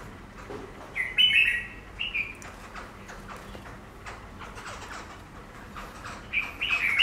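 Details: Chinese laughingthrush (Garrulax chinensis), a caged bird placed before a glass pane to see how it reacts to its reflection; short bright whistled phrases come in three bursts separated by quiet gaps, over a low background hiss.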